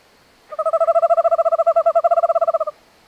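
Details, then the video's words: Owl from North America delivering a quick run of regular pulses, about two seconds long, steady in pitch and loudness, starting abruptly and ending cleanly in near silence. "Sounds of the North American Owl. Singing North American Owl"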